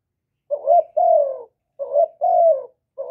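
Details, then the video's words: Spotted dove, used to stimulate kept doves, recorded without background noise, giving two paired phrases: a short wavering note followed by a longer, mellow, slightly falling coo, separated by a brief pause; clean, quiet background. "Cu gáy Hạp Bổi Gáy Gọi + Gù + Thúc + kèm kích bổi, chim cu đất gáy, cu cườm gáy, tiếng chim cu"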